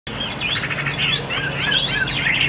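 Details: Caged Chinese hwamei, a kept songbird described as about 85–90% tame and praised for its fast delivery, singing a dense run of bright, warbling, sweeping whistled notes with rapid slurs, continuous throughout.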